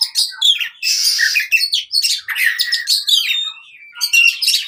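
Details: Fighting song of an oriental magpie-robin, used to train birds that have stopped singing: loud harsh rasping bursts mixed with quick chirps and whistled notes, in phrases separated by brief pauses.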